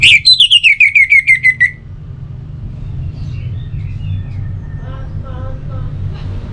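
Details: Song of an orange-headed thrush, played mornings and evenings to set other birds singing: a rapid string of about eleven clear, downslurred whistles, then low background rumble with faint distant bird chirps.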